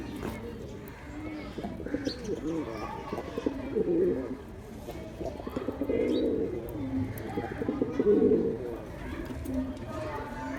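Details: Male pigeon cooing, a sound used to attract other pigeons: low, throaty coo bursts swelling at about four, six and eight seconds over a steady murmur of background noise and faint voices.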